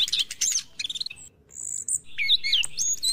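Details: Orange-headed thrush song played in the morning to stimulate caged birds to sing: loud, varied, high whistled phrases and rapid chirps, with shifting notes and short pauses between bursts.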